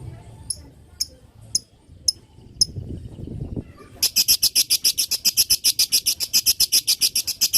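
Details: Long lovebird chatter intended to get other lovebirds answering: a few scattered high ticks, then a dense, continuous rattle of rapid shrill notes, close to four per second, that runs to the end.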